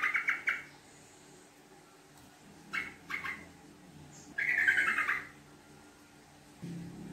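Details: Sooty-headed bulbul lure recording of 'ngekek panjang' song: short scattered chattering bursts, then a longer rapid bubbling phrase of nearly a second, over a quiet background with a low rumble at the end.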